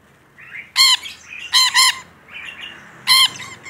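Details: Rainbow lorikeet, a single bird described as very vocal, giving three loud bursts of harsh, grating, harmonic-rich squawks, some doubled, with softer chattering notes in between.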